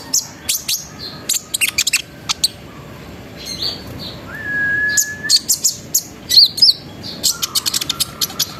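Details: Sunbird song used as a lure to get other sunbirds singing: rapid bursts of high, sharp chirps and trills, a few short clear whistles in the middle, dense and energetic.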